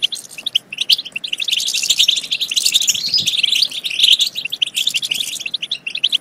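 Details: European goldfinch song meant to excite goldfinches to sing and mate: rapid, high, overlapping chirps and trills that thin out into separate notes toward the close.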